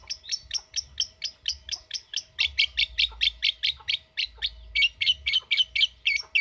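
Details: Ngetik lovebird sound for coaxing a lovebird into long ngekek trills: loud, sharp, high chirps in a steady fast series that speeds up midway, several per second.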